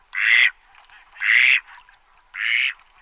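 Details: Farm duck giving three loud, drawn-out, raspy quacks spaced about a second apart, each harsh and nasal with a rough edge, against a quiet background.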